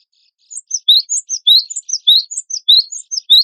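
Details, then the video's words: Fast, continuous cinereous tit song, a contest-bird training recording: bright high notes repeated in a rhythmic, chattering stream, about three to four notes per second, with no other sounds. "GELATIK BATU WINGKO GACOR"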